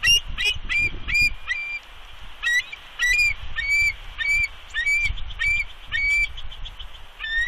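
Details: Female bald eagle on her nest at Big Bear, 2 March 2020, giving warning calls at an intruding adult eagle perched nearby. Clear high whistled chirps, slightly rising, repeated about every half second in an uneven series, with low rumbling background noise.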